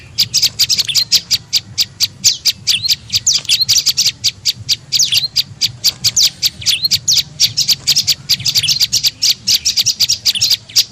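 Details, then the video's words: A prenjak lumut tailorbird lure call for attracting birds. Dense, fast series of shrill, high ticking chirps, some bending downward, keeps up without pause over a low background hum. "SUARA PIKAT BURUNG PRENJAK LUMUT"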